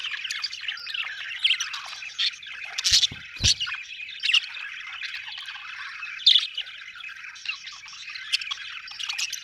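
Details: Continuous budgerigar warbling with scattered sharp chirps over nine seconds, plus two brief thumps near three seconds.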